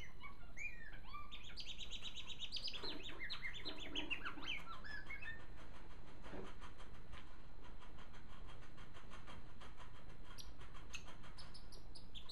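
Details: A pet male African silverbill finch sings a soft, rambling run of high chirps and slurred notes for about five seconds, hopping on his perch until it breaks, then quick ticking notes, over low hum.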